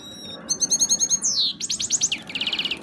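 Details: Hybrid of a parva goldfinch and a canary singing; clear high whistled tones open into rapid repeated trills, a sweeping downward slur, then buzzy rolled phrases, in a quiet setting.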